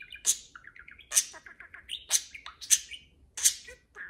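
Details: Parakeets conversing: five loud sharp chirps, each followed by short runs of lower warbled notes, the pattern repeating about every 0.7 seconds.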